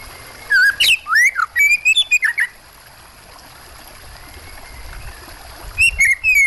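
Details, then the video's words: Oriental magpie-robin song with water sounds behind: a quick burst of loud, fluty and slurred whistles mixed with harsh notes, then a pause of several seconds, then a fresh phrase of rising whistles. "Suara burung kacer plus suara air terbaru"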